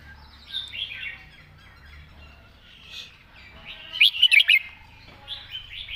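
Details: Red-whiskered bulbul singing in the master-song style with fine phrasing: one loud, bright burst of four quick chirped notes near the end, with softer warbled chirps from other birds throughout.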